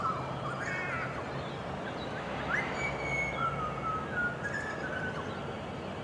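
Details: Grey butcherbird (Cracticus torquatus) song in South East Queensland, Australia: clear piping whistles, some rising, some level, each phrase ending in a descending melody, over steady hiss. A crow can be heard. The recordist has only heard this song just before dawn in early spring.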